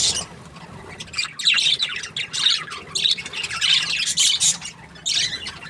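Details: Happy budgie chirping in bursts: clusters of high, buzzy twitters and squeaky notes broken by brief quieter gaps, about five loud bouts.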